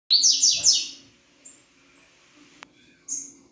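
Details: Double-collared seedeater singing one quick phrase of high, buzzy, rapidly repeated slurred notes lasting about a second, then a few faint scattered chips and a click, with a low hum underneath.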